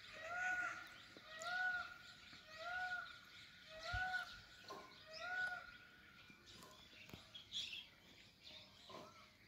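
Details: Indian peafowl calling in a jungle after the rain: five loud, nasal, arched calls with a clear overtone, repeated about once a second, then stopping. Other birds chirp faintly in the background.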